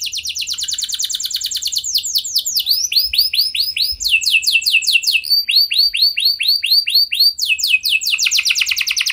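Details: Canary singing a varied song meant to spur other canaries into song: fast trills alternate with runs of looping, rising-falling whistled notes, each phrase a few seconds long and changing pitch between sections.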